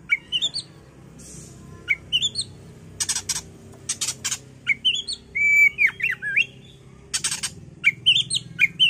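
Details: Oriental magpie-robin (kacer) song used as bait to make the bird agitated and sing: brisk upward-sweeping whistled notes in short runs, interrupted by dense rasping bursts, with a stretch of sweeter, warbled whistles midway.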